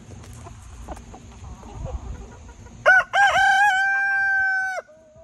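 An Easter Egger rooster gives one loud, harmonic crow: a short opening note, then a long, level, slightly rising cry lasting nearly two seconds, after soft background rustling.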